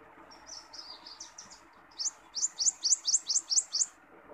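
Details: A wild common iora, recorded for training and luring birds, gives a short run of high warbled notes, then about eight sharp rising whistles at four per second, over a soft hiss.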